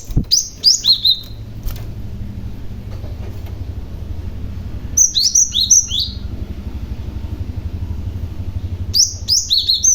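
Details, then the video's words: Cinereous tit, a male stone tit used as a lure to draw other tits to answer, giving clear whistled calls with sharp downward slurs in short bursts of three to five notes, repeated at intervals, over a steady low rumble of traffic. "BURUNG GLATIK PAUD GACOR , Si Pemancing Bunyi Glatik Lain Yang Handal"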